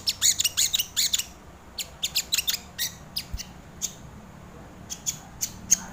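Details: Crimson sunbird used as a lure and training tutor, starting with a dense rattle of high ticking chips, then spaced-out single sharp notes roughly every half second.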